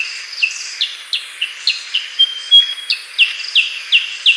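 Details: Repeated crisp, slurred chip notes from a Black-headed bulbul, evenly spaced at roughly three per second, interrupted once by a short pure level whistle. Faint high background hiss.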